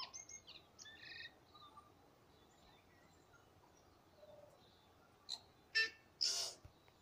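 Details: Tui singing at Waikouaiti: a few high whistled notes in the first two seconds, a quiet pause, then three loud harsh, noisy bursts near the end, with steady background hiss.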